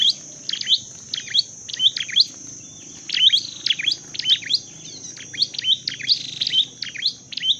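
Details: A trained Dark-necked tailorbird sings a fast, nearly continuous run of sharp, high chirped double notes, pouring out in clusters with only short gaps, over a constant thin hiss.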